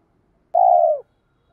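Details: Single drawn-out spotted dove coo, half a second long, steady then sagging at the end, from a lure recording meant to provoke males to sing and fight; nothing else heard.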